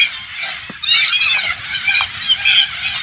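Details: Flock of green parakeets thought to be Alexandrine parakeets, swarming over a farm in rural Thailand: quieter squawking at first, then a loud, continuous wall of raspy screeches from many birds at once.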